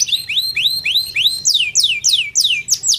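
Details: Canary masteran tutor song with cengkok phrasing: a series of repeated arched whistled notes about four per second, then steeper, higher swooping downslurs coming faster, bright and clean over a quiet low hum.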